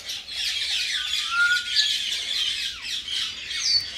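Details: Tame pet common myna, said to be talking, gives a continuous harsh, scratchy chatter with buzzy rasping notes, a brief whistled slide near the middle and a high squeak toward the end.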